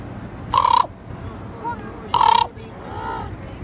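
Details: Common Raven in Juneau, Alaska, on 2 June 2018, giving two loud, harsh, hoarse croaks about a second and a half apart, with softer croaks between them over a low background rumble.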